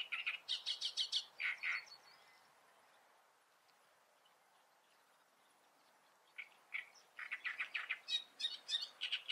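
Great reed warbler singing loud, grating phrases of repeated harsh notes and creaky chirps, broken by a pause of about four seconds before resuming.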